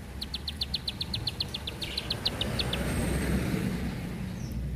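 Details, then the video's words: Bar-winged prinia giving a rapid burst of high, sharp ticking notes for about three seconds. The song stops, then a rising broadband rumble of background noise takes over. "Ciblek Sawah // Prenjak Klik // Tembakan Panjang Rapet Ciblek"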